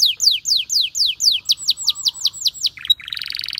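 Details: A canary sings in the wild, repeating downward-slurred whistles about four times a second, then switching abruptly to a lower, buzzy rolling trill.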